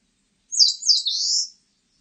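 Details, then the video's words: Eastern crowned warbler song, recorded in 2020: a single high, buzzy phrase of about one second made of a few quick slurred notes, ending in a drawn-out wheezy note, on a silent background. "산솔새, 1번 듣기, 곤충소리, 새소리"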